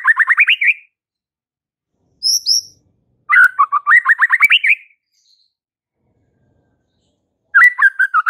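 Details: White-rumped shama in full song meant to provoke fighter males: rapid bursts of rising, rolling whistled notes, each phrase climbing in pitch, repeated with pauses and a short high note between phrases.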